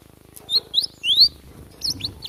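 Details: Fighting Java sparrow recorded in the wild, several bright, high rising chirps in quick succession followed by a couple of shorter sharp notes.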